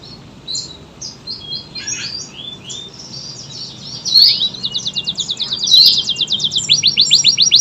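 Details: Kenari AF canary singing gacor-style: faint high scattered notes at first, then loud rapid buzzy trills and strings of repeated high notes building toward the end. Used as a long-duration song for tutoring Murai, Kacer and other birds.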